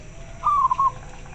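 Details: Local zebra dove with a very clear voice, answering another bird: one short cooing phrase, a steady mid-pitched note broken into three quick beats over faint background hiss.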